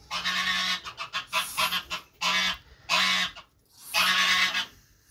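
A goose gives harsh, rasping honks in bursts of under a second, roughly one each second, some with a hoarse, hissing edge, while defending its nest.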